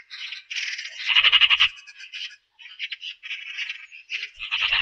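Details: Eurasian magpie giving harsh, dry rattling chatter in bursts of rapid clicks, with a louder grating rattle near the middle and brief pauses between phrases; no other sounds intrude.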